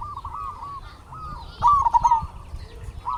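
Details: Local zebra dove, kept as a lure to excite other doves: a single loud, rippling cooing phrase rises above soft repeated coos from more distant doves.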